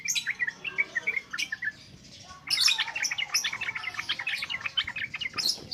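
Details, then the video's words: Yellow-vented bulbul singing in the continuous 'ngropel ngalas' style, used as a lure for training young birds: a dense run of bright chirped and bubbly notes, briefly pausing before a fuller, rapid burst of overlapping tweets. "SUARA BURUNG TRUCUKAN NGROPEL NGALAS COCOK BUAT PANCINGAN BAHAN"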